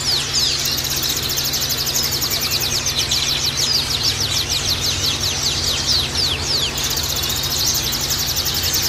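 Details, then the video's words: Male Oriental white-eye song, a fast, continuous run of thin, high twittering notes, rising and falling, with a steady background hiss. "TERAPI PLECI"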